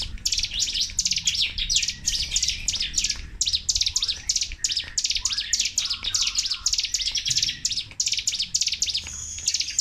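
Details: Sunda warbler in energetic, nonstop "tembakan" (shooting) song style, delivered without pauses: rapid bursts of high, sharp sweeping chirps repeated densely over ten seconds, with a few lower slurred notes and a low background hum.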